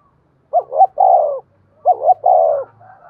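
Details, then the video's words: Lure recording of a spotted dove in the 'giọng đồng' voice style, meant to provoke wild 'giọng thổ' doves. Two soft, throaty phrases, each a short two-part rising coo run into a sustained descending note, on a quiet background. "Cu gáy giọng đồng dùng dụ và kích chim giọng thổ hiệu quả"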